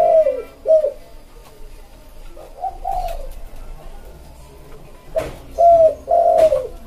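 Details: Spotted dove cooing, used to lure wild birds, in a soft, smooth 'pédo élem' style: paired mellow coos open the phrase, a softer coo follows, then strong coos return after a few clicks.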